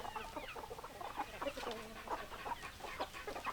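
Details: Several hens clucking together, a dense run of short overlapping clucks and brief squawks, steady throughout with a faint low murmur behind.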